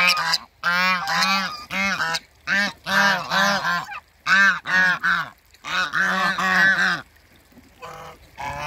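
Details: African geese couple met at a waterbird farm, calling in a long series of loud, rasping honks, about one every two seconds, some doubled, with brief pauses between runs.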